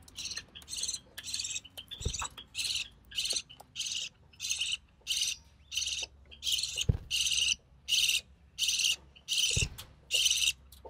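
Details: Recessive pied budgerigar chick, hatched early June 2020 and sole survivor of three, from a White Recessive Pied father and Albino Red Eye mother, calling while its mother feeds it: harsh raspy bursts repeated in a steady train, with faint thumps between.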